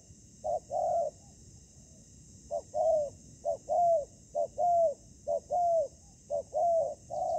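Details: Decoy spotted dove used in ground trapping against wild rival doves: an opening pair of coos, a quiet gap, then about five short-then-long coo phrases at an even pace.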